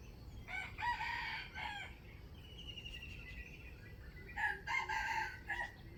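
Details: Wild chicken rooster, trapped, giving a crowing call: two bursts of harmonic crowing, the first around one to two seconds and a second near four to five and a half seconds, with a thin whistled tone between and steady background noise.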